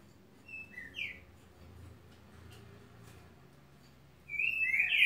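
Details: Green-winged saltator giving a short whistled fragment, then a quiet pause with low rumble, before a loud slurred whistle begins another phrase at the end.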